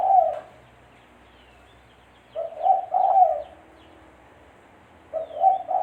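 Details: Spotted dove call played as a trapping lure, with low mellow coos: the tail of one phrase, a full multi-note phrase in the middle, and another beginning at the close.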